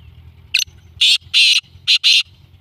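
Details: Black francolin (Francolinus francolinus), call.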